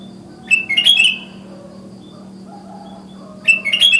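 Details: Morning sooty-headed bulbul with natural forest-style calling that gets other bulbuls to join; two loud, bubbly chirping phrases about three seconds apart, with soft notes and a steady hum between them.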